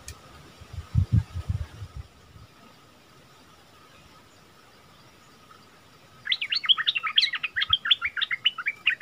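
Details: Bulbul song after several seconds of low thumping and a quiet hum: a fast, lively run of sharp whistled notes, bouncing up and down, repeated rapidly to the end.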